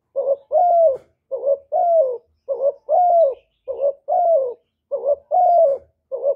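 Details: Spotted dove, used as a lure to stimulate and attract other doves, giving a clear mellow cooing phrase: short hooting notes alternating with longer descending coos, repeated steadily almost once per second without pause, in a quiet setting.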